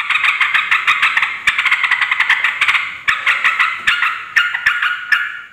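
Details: Sooty-headed bulbul in noisy, agitated voice, played to lure and rile other bulbuls into replying; continuous scratchy chatter with rapid overlapping notes and sharp clicking ticks.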